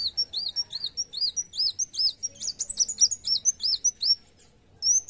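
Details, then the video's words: Kolibri wulung sunbird's narung song: repeated high looping whistles that break into a dense burst of sharp twitters, then a brief pause and one more thin note. "Kolibri Wulung Gacor Narung"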